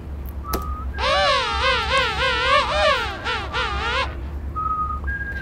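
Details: Male king penguin calling at Gold Harbour, South Georgia, its call built in an a-a-b syllable pattern: a loud, rich trumpeting with strongly warbling, wavering harmonics, several linked syllables over about three seconds, with faint whistles from other penguins around it.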